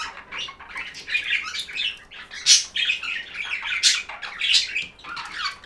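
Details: Several budgerigars chirp for stress relief, a continuous mix of buzzy warbles, clicks and sharp high squawks in uneven bursts.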